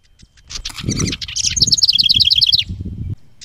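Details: Loud close house wren song at a bluebird nest box with its stick nest, trail camera, 10 May 2023: scratchy introductory notes lead into an evenly paced string of about a dozen rapid, descending trilled notes, with low rustling beneath.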